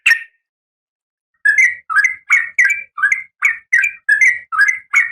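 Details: Female oriental magpie-robin in breeding condition calling the male: one note, a pause, then a steady run of about ten harsh, two-part rasping notes, roughly two per second.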